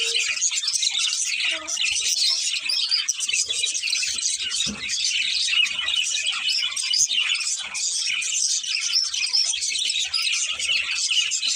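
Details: Breeding pair of budgerigars giving continuous high chatter, a busy mix of thin tweets and scratchy warbled notes with no pauses, plus a few faint low knocks.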